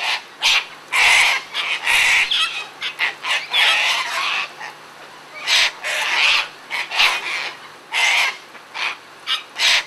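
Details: A flock of Sulphur-crested cockatoos feeding in a frenzy, calling almost nonstop with loud, grating, harsh screeches and squawks that overlap and follow one another rapidly throughout.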